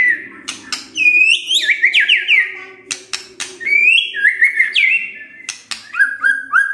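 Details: White-rumped shama singing in the morning to make a quiet bird respond: bright whistled phrases with quick downward flicks and wavering notes, interrupted by loud clicks, over a low steady hum.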